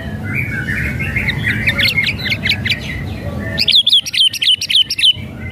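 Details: White-rumped shama whistles and rattles, played to goad a quiet bird into singing: fast chattering rattle of jerky notes, then a loud burst of sharp, high, clipped chirps repeated rapidly.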